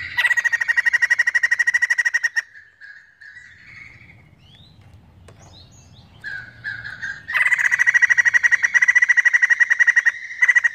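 White-crested Laughingthrush giving bursts of fast, harsh, chattering notes that rattle on for several seconds, with a quieter stretch of softer calls and low background hum between.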